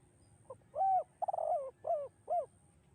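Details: Echoing 'kuk 2' style song of a spotted dove. One phrase: a soft lead note, a full hooting coo, a rolling trilled coo, then two shorter falling coos, over a quiet background.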